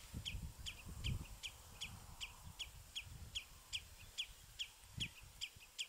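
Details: At Battenoord, house sparrows sitting on a bramble branch give an even series of short, piercing chirps, about two and a half per second, over noticeable low rumbling noise; captured on a compact Sony Cybershot.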